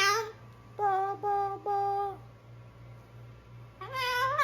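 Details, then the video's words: Pet cockatoo warming up his vocals, producing drawn-out tonal notes held level then dipping, a pause, and a rising harmonic cry at the end, over a constant low hum. "Cal warming up his vocals"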